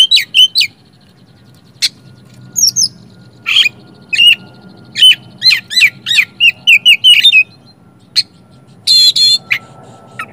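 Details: Oriental magpie-robin song played to coax sluggish magpie-robins into singing and showing their repertoire. Scattered sharp clicks and chips, then a lively run of short whistled slurs and squeaky notes, ending in a burst of buzzy harsh notes. The background is quiet.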